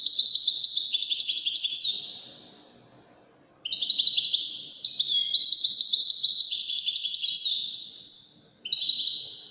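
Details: European goldfinch in Wedani song: a rapid, high twittering phrase ends in a falling slur, then after a short silence a fresh burst of liquid chirps and trills follows.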